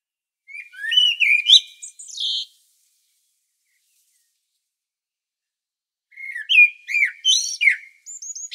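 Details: Varied song of a common blackbird on Sljeme, Medvednica Mountain, Croatia, filmed with a Panasonic Lumix DC-TZ90: a fluty warble with high scratchy trills, a pause of nearly four seconds, then another warbled phrase closing with repeated thin high notes.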